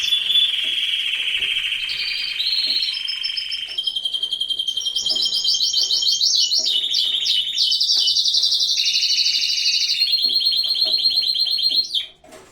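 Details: Canaries in an aviary in full breeding season sing a long varied song: sustained rolling trills that step up and down in pitch, with fast repeated notes between, ending abruptly.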